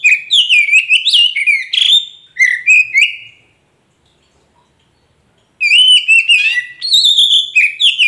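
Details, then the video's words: Lure song of a kacer poci magpie robin, used to prompt a silent bird to reply: two bursts of fast, varied whistling and chirping, separated by about two seconds of silence, all clean and loud. "Pancingan untuk Kacer poci macet bunyi pasti nyaut"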